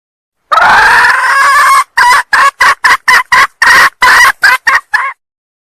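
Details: Female red junglefowl from Sumatra, used to lure males, opens with a long, harsh, drawn-out cry, then breaks into about eleven rapid, clipped cackling notes before falling silent.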